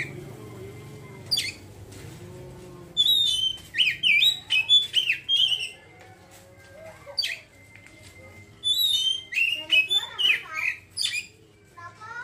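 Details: Ngeriwik song of an Oriental magpie-robin, bursts of rapid, varied whistles and chattering notes in two main runs separated by quieter moments, over a soft low hum.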